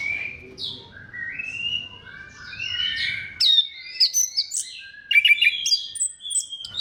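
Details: Orange-headed thrush singing to spur other thrushes: long smooth whistles rising and falling at first, then a brisk sequence of high, crisp notes and short trilled phrases.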